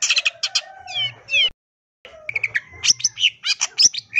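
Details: Energetic long-tailed shrike singing, a full fill-laden song meant to coax quiet shrikes into joining in: quick chattering phrases and slurred whistles, a brief silence, then more sharp notes and squeaks over a faint low hum.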